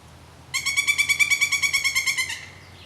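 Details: Pileated woodpecker calling: a loud, rapid run of about eighteen ringing, evenly spaced notes delivered over nearly two seconds, each note bright and slightly nasal, ending abruptly against a quiet background.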